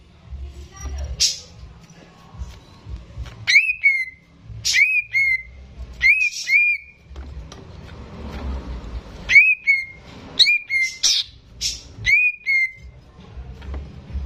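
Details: Caged greater green leafbird, the owner's own bird, singing actively, recorded as a tutor for young birds: loud whistled notes sliding down to about the same pitch, given in bursts roughly every second, with a low hum beneath.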